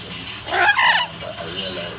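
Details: Pet yellow-naped amazon parrot playing with its owner, a bird known for talking, singing and belching; a loud burst of harsh, harmonic, crowing-like notes lasting about half a second, then quiet, with laughter and speech nearby.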